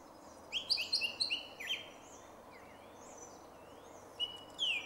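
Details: Song thrush singing in a small wood beside Jarun in Zagreb, Croatia, on 2 March 2016: a clear, whistled phrase of short notes repeated several times, then a pause and a few thinner high notes, over a quiet background hiss.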